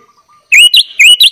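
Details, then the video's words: Sooty-headed bulbul, recorded as a tutor song for young bulbuls: a faint thin note, then four loud, clear whistled syllables alternating upward and downward slurs. "kutilang gacor full isian"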